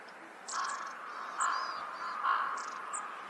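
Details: Long-tailed tit in winter in Hokkaido, Japan, giving very high, thin, short call notes in scattered bursts over a steady lower rough buzzing that swells and fades; Long-tailed tit.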